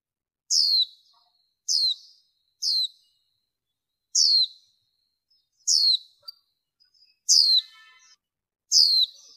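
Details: Female warbling white-eye, recorded with background noise removed and used to excite males and wild birds: seven sharp, high descending whistles at irregular one-to-two-second intervals, some with faint buzzy trailing notes, in an otherwise quiet recording.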